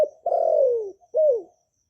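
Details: Kept Vietnamese spotted dove (cu đất) cooing to train newly kept doves to sing, recorded without background noise; a long, mellow coo gliding gently downward, followed by a shorter falling coo.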